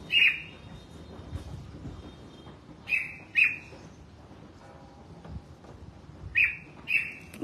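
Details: Red-whiskered bulbul kept in a cage, bathed and sunning: clear, sharp whistled notes, sometimes in close pairs, at irregular gaps over quiet background hiss, with a faint thin tone between them.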